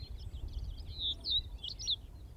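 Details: Common Reed Bunting at Wakka Primeval Flower Garden, Hokkaido, Japan: a short, fairly faint run of high, thin chirping notes with a louder note near the end, over a low background rumble.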